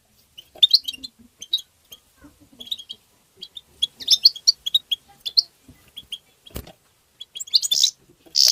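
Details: European goldfinch in lively tabtaba twittering, meant to stimulate other goldfinches: rapid runs of bright, high, tinkling notes and buzzy chirps tumbling over one another, with a sharp click near the end.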